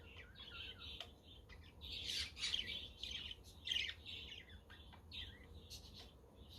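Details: Budgerigar chatter on a windy, sunny day, with a quaker parrot and conure in the background; quieter, continuous high warbling and chirps over a faint low rumble, with a few sharp ticks.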